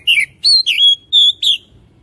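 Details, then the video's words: Oriental magpie-robin singing five or six loud, clear whistled notes, some slurred downward and some held steady, each separated by short gaps, with a quiet background. "Burung Kacer Gacor Video Asli Suara Asli"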